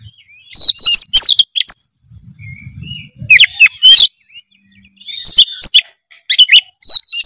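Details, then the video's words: Oriental magpie-robin in full chattering song packed with fill-in phrases, used as a lure to get a lazy bird singing: bursts of sharp whistles and harsh rapid notes in three clusters, with a brief low rumble between them. "kacer gacor full isian memancing kacer malas bunyi menjadi gacor"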